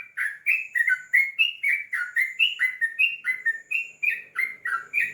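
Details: Long, rolling song of a sooty-headed bulbul: a steady chain of mellow, downward-slurred whistled notes about four per second, bright and uninterrupted over quiet surroundings.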